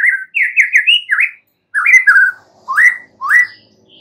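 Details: Song of a young wild white-rumped shama from the forest, meant to draw a response: rich whistled phrases of quick repeated slurred notes, broken by short silences, ending with two rising whistles.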